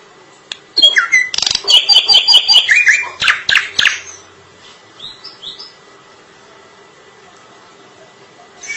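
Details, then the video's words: Drongo in long, continuous singing: a burst of mixed sharp notes, then a run of about six clear ringing whistled notes, then harsh downslurred calls, trailing into faint high chips. "Suara asli burung Srigunting gacor panjang"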